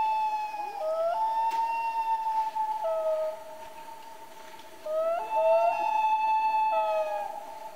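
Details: Common loon calling at night: long, sustained mournful wails held on a steady pitch, sliding up at the start of each phrase, with a brief dip in between before another drawn-out wail begins.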